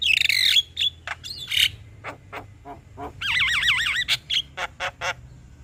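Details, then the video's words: Male Javan myna song, meant to stir a reluctant bird: a harsh squawking burst, spaced scratchy clicks, a run of looping wavering whistles and loud sharp chips, with a low hum beneath. "Kicauan Jalak Kebo Jantan Bikin Jalak Kebo Malas Bunyi Jadi Emosi"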